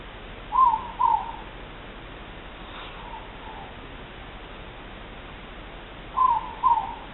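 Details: Two moreporks (ruru) recorded 3 August 2014, calling with soft, low hooted double notes, each pair falling slightly, one pair near the start and another about five seconds later over a steady background hiss.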